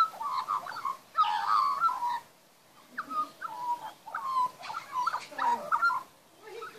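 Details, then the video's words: Magpie young being fed in a backyard, with loud warbling, fluting phrases in bursts of about a second, separated by short pauses, and some softer rising and falling notes near the end. "magpie young backyard feeding n singing"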